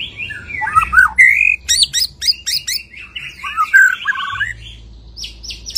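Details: White-rumped shama singing after its moult and showing off its full repertoire: a dense run of varied whistles, sharp slurred notes and buzzy high strokes, with quick switches between phrases and a low hum beneath.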